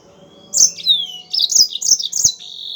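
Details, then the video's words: Energetic yellow-fronted canary song used to coax other birds into singing: a long, thin, falling whistle followed by a fast run of bright, twittering high notes, ending on a steady held tone. "MASTERAN BURUNG MOZAMBIK GACOR"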